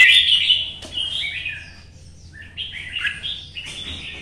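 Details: Red-whiskered bulbul, solo in morning sun, hopping among perches with contest-style singing to stir other birds: a loud opening warble fading into quieter descending phrases, then a renewed rising string of chirpy whistled notes.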